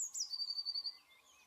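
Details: Eurasian blue tit singing: a very high thin opening note slides down into a fast, even trill of about ten sharp notes on one pitch, then fades to faint softer calls.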